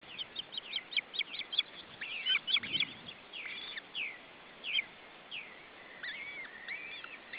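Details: Osprey at an Estonian nest as the male tries to feed his chicks; a series of quick, sharp, high chirps in bursts, then spaced, upward-slurred whistled calls, slightly muffled.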